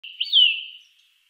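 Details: A Eurasian nuthatch gives a single clear whistled note that starts slightly higher, then slides gently downward and fades out. No other sounds are heard.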